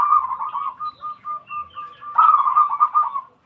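A zebra dove sings a soft, mellow string of cooing notes, about three a second, then breaks into a louder, rolling, bubbling phrase at the end.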